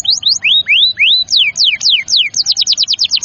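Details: Gacor canary song used to stimulate young, stalled or lazy canaries to sing: loud high swept whistles, some rising, some falling, then a fast run of short repeated notes.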